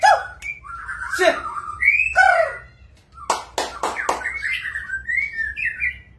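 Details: Magpie-robin gives harsh squawky notes and fluty whistles, then a quick series of sharp clicks followed by a rising string of whistled notes.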